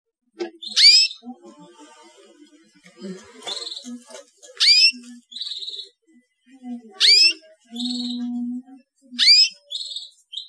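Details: Chirping of a young canary, used to coax quiet canaries to sing: five bright rising chirps spaced about two seconds apart, each followed by a brief buzzy note, over a soft low droning tone.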